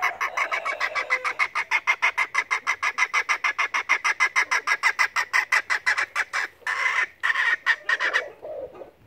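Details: A dwarf bantam-mix hen sings very loudly before laying while still searching for a nest site: a rapid, even run of nasal clucks, about four or five a second, breaking into a few louder drawn-out notes near the end.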